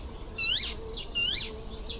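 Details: ['Icterine warbler giving two loud, high, ringing phrases in quick succession, each a sweeping whistled note with a downward slur.']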